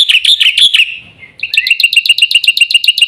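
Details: Black-winged myna, locally jalak putih, singing a few rough slurred notes, a short pause, then a fast series of sharp scratchy notes, about four each second.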